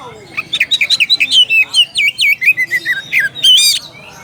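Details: Loud, varied phrases from an oriental magpie-robin summoning a rival, a rhythmic string of about twenty clear whistled notes dipping and rising in pitch, ending on a bright high flourish.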